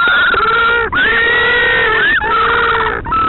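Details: Little blue penguins calling loudly near a royal albatross nest at Pukekura/Taiaroa Head, Dunedin, New Zealand, a continuous harsh braying with sustained harmonic tones and brief gulping breaks.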